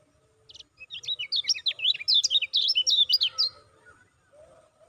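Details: Lemon-bellied white-eye lure call meant to stir caged birds. Clipped, staccato chirps rise and fall rapidly in a lively two-and-a-half-second string, about two notes per second, then fade to near silence with a faint low hum.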